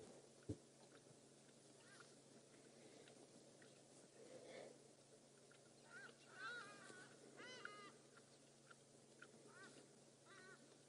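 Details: On an afternoon game drive on 23 August 2016 near Djuma Game Reserve, South Africa, distant Hadeda ibises flying off to their roost give harsh, honking calls over a steady low hum.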